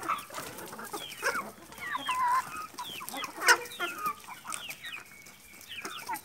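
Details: Several chickens eating in a yard give a stream of short rising and falling clucks and trilled chirps, some birds louder and nearer. One sharp click stands out midway.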